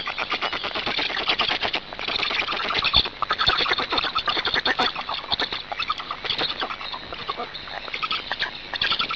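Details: Black storks in Hungary at the nest during a feeding on 26 May 2019 at 18:53, giving dense rapid rattling, squeaky pulses in a continuous chattering stream, with a steady high electronic hiss behind.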